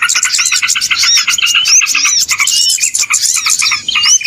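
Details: Small birds calling on a trapping lure track: rapid pulsed chirping with scattered rising whistles and trills, many birds overlapping in a loud, restless chatter.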